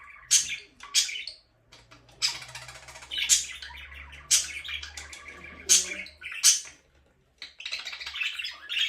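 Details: Budgie giving sharp, bright chirps spaced about a second apart, mixed with softer chattering warbles and a faint low hum in the background.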